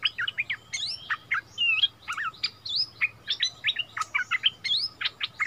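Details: Bulbul song duel with a territory holder, the visiting decoy bird singing back at its former home in February 2021. Continuous quick chirps and upswept whistles tumble in a rich, rolling warble.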